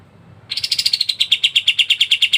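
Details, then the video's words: Kapas tembak, a masteran tutor bird for songbird keepers, singing in dense ngebren style: after brief quiet, a fast even series of sharp chipping notes, about eight per second, slowly dropping in pitch. "KAPAS TEMBAK GACOR NGEBREN RAPAT"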